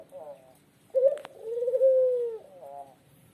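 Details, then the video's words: Tame, very vocal Lombok dove, a caged bird, gives a long, smooth, low coo that swells and holds steady for about a second and a half. Shorter wavering notes come before and after, with one sharp click in the middle. "Burung Puter Lombok Jinak Gacor ( Petuk Lombok )"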